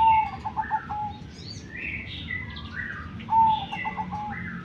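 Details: Two zebra dove coo phrases, a sustained note breaking into short stuttering notes, framing a stretch of busy chirping and sliding whistles from other small birds.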